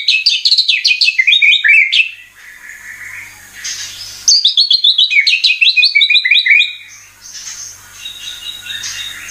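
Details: White-rumped shama (murai batu) song used as a lure to excite other birds: rich, fast jumbled phrases of high chirps and whistles, two bursts of song separated by a quieter pause, with a faint low hum underneath.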